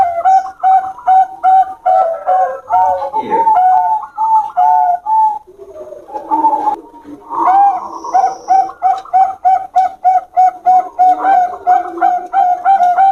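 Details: Bangkok-type zebra doves from a champion line dueling in henging-style song, trading fast runs of soft, round coos at roughly three per second, the streams overlapping, with a stumble and gap near the middle before the quick cooing resumes.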